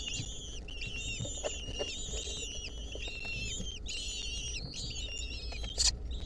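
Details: Lesser kestrel chicks, wild, a centipede clinging to them in 2023, keep up a busy chorus of whistled, harmonic-rich calls that overlap and repeat, with a brief loud click near the end.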